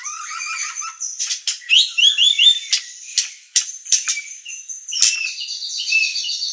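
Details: White-rumped shama (murai batu) song for stimulating other birds: varied high chirps, sharp clicks and brief whistled phrases, irregular and rapid, with some scratchy notes.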